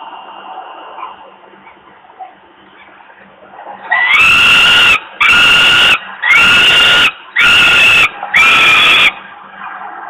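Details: Falcon chick in Włocławek, Poland, crying from hunger on an evening in late May 2022 before its father brings food. After several quiet seconds of soft background noise, five loud, harsh, scratchy wails follow in quick succession.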